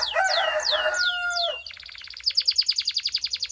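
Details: Belgian canary song used to warm up canaries and fire up females: falling whistles over a lower harsh, harmonic sound, then a clean fast rhythmic trill repeated about five times a second.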